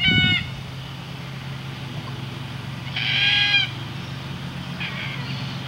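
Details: Shy red-tailed black cockatoos in the Whitsundays giving three harsh, rolling, metallic calls, the middle one longest, over a steady low engine-like hum.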